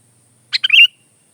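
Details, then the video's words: Sooty-headed bulbul, singing freely, gives one quick phrase: two crisp introductory notes, then a bubbly, fluttering whistle sliding up and down before fading. No other sounds. "Kicau kutilang"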